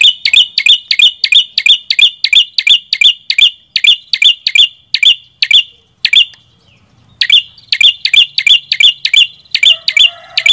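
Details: Red-headed prinia (prenjak kepala merah) pouring out a fast, even series of sharp chips, about three per second, breaking off briefly, then resuming the same rapid rhythm.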